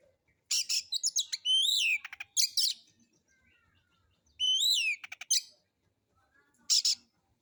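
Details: Relaxed solo singing of an Oriental magpie-robin, harsh-toned phrases meant to prompt other birds into song: sharp upslurred whistles with clicking rattles in short bursts, a faint twitter between and a final loud burst.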